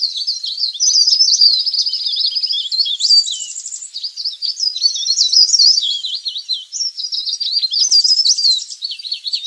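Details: Leaf warbler lure recording: nonstop high-pitched twittering with wavy whistled notes and a couple of short metallic buzzy rattles, sounding like a noisy group.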